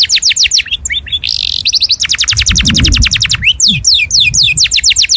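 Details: Loud canary song for other birds to learn from. Rapid repeated downward-sweeping whistles and a fast buzzy trill, with a brief low rumble or thump in the middle.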